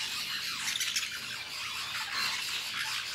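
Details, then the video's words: Lorikeets feeding on fruit in La Fortuna, giving a dense wash of harsh, overlapping high squawks and chatter that never pauses across the few seconds. "Lorikeets eating fruit in La Fortuna"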